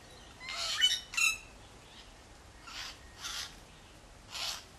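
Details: Harsh, rasping Wattlebird squawks aimed at driving a Kookaburra from a backyard close to their nest; two loud back-to-back calls, then three softer raspy bursts spaced about a second apart.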